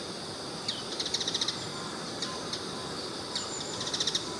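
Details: Bull-headed shrike, one of several recordings of its different calls: short runs of quick, scratchy high notes, first dropping then fast-repeated, separated by single sharp notes, with a constant hiss behind.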